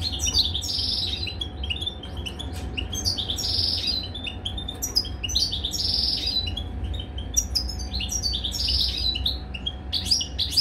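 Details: Caged European goldfinch during mating, singing twittering, buzzy phrases in repeated bursts over a steady electrical-sounding hum and low background noise.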